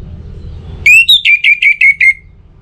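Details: Orange-headed thrush (Geokichla citrina) used as a lure recording to get thrushes singing steadily: a rising whistle followed by six quick, clear whistled notes, about five a second, easing slightly lower, over a faint low hum.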